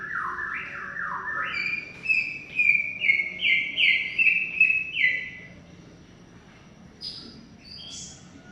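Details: Greater green leafbird in long song: a rapid string of clear whistled notes, the first dropping, then level bright notes repeated for about five seconds. A few thin high chirps follow in a quiet pause.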